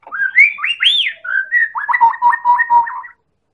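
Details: Medan white-rumped shama singing as a lure to stir other birds into song: sweet whistled up-and-down phrases, then a rapid series of about five downslurred notes over a steady tone, lasting three seconds, no background noise.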